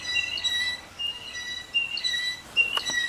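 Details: Blue jay, Cyanocitta cristata, giving clear, whistled, ringing notes with stacked overtones, several short tonal phrases repeated about every second, and a brief sharp click near the end over soft background hiss.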